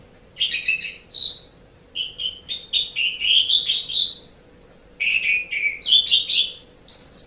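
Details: Asian pied starling singing, recorded to teach pet birds to sing: clusters of fluty whistles mixed with scratchy notes, phrases about a second long separated by short silences, over a low constant hum.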